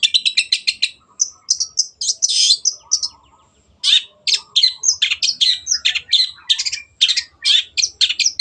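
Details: Long-tailed shrike, called cendet, in gacor song with a clear voice for cage birds to mimic: a rapid stutter of high notes, buzzy trills, a short lull, then a long dense sequence of sharp chirps.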